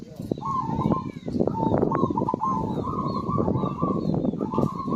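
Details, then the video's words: Zebra dove singing to prompt silent birds: an almost continuous run of fast, pulsed coo notes in repeated phrases, with some faint higher chirps and dense low background noise. "PERKUTUT GACOR"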